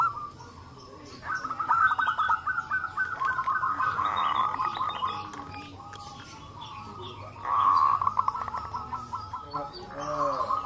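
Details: Group of local zebra doves answering one another, used to get young doves calling: repeated trilled cooing phrases rise and fall in loudness, with a loud burst of rapid notes toward the end.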